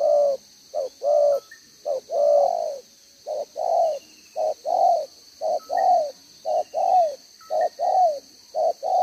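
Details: Spotted dove decoy bird with a two-strand collar, cooing in the 'đồng gáy 1 hậu' style, 11/6/2023: a long run of paired and triple coos, short notes followed by longer slightly falling ones, with faint high chirps.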